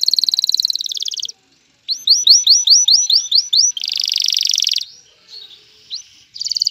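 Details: Male canary singing to prepare a female for mating and stir her to build a nest: loud, rapid buzzy rolls, a series of about nine rising whistled notes, a fast rattling trill, then brief pauses and another roll, with no other sounds.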